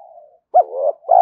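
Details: Spotted dove coo meant for exciting and training decoy birds: a soft steady hum, a short pause, then a sharp rising note that slides into a drawn coo.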